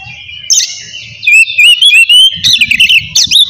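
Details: Loud ngeplong singing by an oriental magpie-robin, meant to goad rivals or quiet birds into song: a sustained high whistle, then a rapid string of sharp, varied slurred whistles and chattering notes over faint low background noise.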